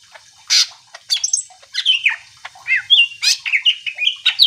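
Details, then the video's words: Greater green leafbird song played to provoke other birds into singing: a busy run of varied whistled and chattering notes, sharp slurred phrases rising and falling, bursts packed closely together. "Cucak ijo gacor AMPUH bikin burung mu langsung emosi ikutan bunyi"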